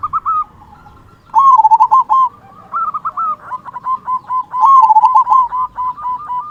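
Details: Local zebra dove singing often with a big "kung" voice, used to stir quiet doves into song: loud rolling coo phrases repeated several times, with quick runs of about four notes a second and a steady background of softer coos.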